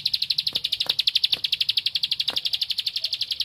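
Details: Singing to find a rival, a bar-winged prinia (ciblek padi) delivers a loud, unbroken stream of rapid, piercing high ticks, with a few faint clicks underneath.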